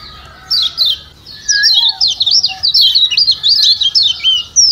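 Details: High, fast zigzagging twitters of the Lombok yellow white-eye ('ciak ciak' stimulant calls for a silent bird), a near-continuous string of thin, wavering notes after a short opening chirp, with a soft lower whistle beneath.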